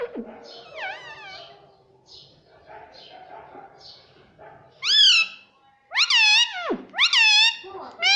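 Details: Indoor pet parrot that talks, repeating "mummy": faint wavering syllables at first, then loud, rich, harmonic calls rising and dropping in pitch, several in quick succession over the last few seconds.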